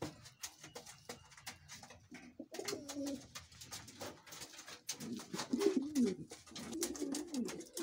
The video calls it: King Pigeon sounds